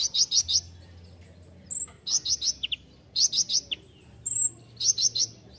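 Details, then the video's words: Kolibri ninja sunbird singing for songbird training: groups of three or four sharp, ringing high chirps repeat roughly every second, with short downslurred notes and a thin whistle slipped between them. "masteran kolibri ninja (konin) gacor full isian mewah"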